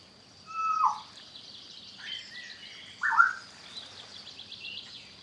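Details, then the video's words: African grey parrot giving a few separate whistled calls, a steady mid-pitched whistle, then a slurred note and a rising-falling whistle, over a constant high insect-like hum. "African Grey Parrot Serenade"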